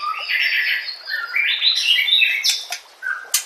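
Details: White-rumped shama in a masteran training compilation, delivering a dense, continuous run of fast chirps and slurred whistles climbing and falling, ending in a few sharp clicks and a short low note.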